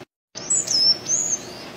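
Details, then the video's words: Sayaca tanager singing free in the wild: after a brief silence, high, thin, squeaky whistled notes slide and waver, with a longer drawn phrase near the end, over faint low background noise. "sanhaço Azul Cantando solto na natureza lindo canto do sanhaço azul"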